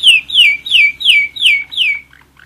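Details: Song of a one-year-old German Roller-split canary: six bright downward-sliding notes repeated evenly about three times a second, then a few soft scattered chirps as the phrase fades.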